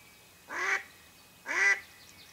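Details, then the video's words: Mallard hen used by hunters to draw in wild ducks; two separate drawn-out, raspy quacks about one second apart over quiet background hiss. "Ducks hunting by mallard Hen"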